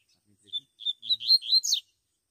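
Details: Wild double-collared seedeater singing in the bush: a quick run of about six high, chirpy slurred notes that climb toward a sharper, higher ending, with a faint low murmur of voices beforehand.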